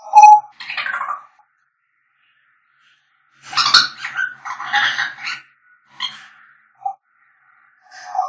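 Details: African grey parrots calling: nasal squawks and a muttering, speech-like stretch of mixed rough notes, with short whistled pips near the end, indoors.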